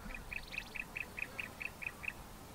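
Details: A pair of bar-throated apalises duetting, the male louder and lower, in a fast, even series of about ten sharp, mid-high notes, five per second. A fainter, higher voice joins briefly near the start over a low background hum.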